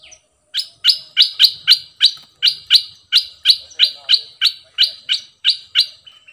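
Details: Bulbul used as a decoy, delivering a rhythmic series of about fifteen sharp, identical, high chirped notes repeated roughly three per second, ending with a short softer whistle.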